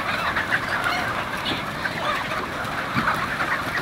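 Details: Chickens on a chicken farm, a dense chorus of overlapping clucks and squawks from many birds, steady and continuous with no single caller standing out.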